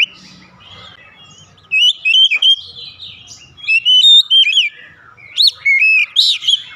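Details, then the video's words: Oriental magpie-robin, used as a lure to get other magpie-robins singing quickly, sings loud, varied whistled phrases, bright slurred notes rising and falling, in quick bursts with brief pauses over faint background hum. "memancing Kacer cepat ngeplong gacor"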